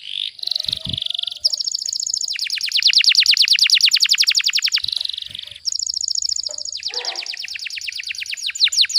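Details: Canary with a close-packed tutoring song: buzzy trills alternate with long runs of very rapid descending notes, about three per second faster than counting, separated by short buzzy interludes.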